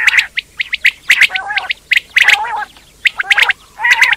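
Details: Quail uttering rapid high, sharp chirps in quick clusters, broken by a few throaty, wavering squawks, with short silent gaps between bursts.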